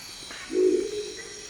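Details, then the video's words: A single low-pitched, gruff croak from a Crested Owl recorded in the Ecuadorian Amazon, a short throaty growl lasting roughly half a second against a constant high insect drone. "Crested Owl Calls - The sounds of a Crested Owl calling in the Amazon."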